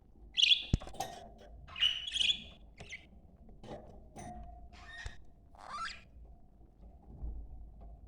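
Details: Budgerigars, male and female, in a breeding-stimulation chorus: scratchy squawks and quick chirps in separated bursts with a sliding whistled note near the end, over a low background hum and a few clicks.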